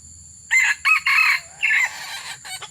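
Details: Wild junglefowl crowing while being lured. After a short quiet start there is one loud, four-part crow: three quick harsh bursts, then a pause, then a final drawn-out note. A faint low rumble sits underneath.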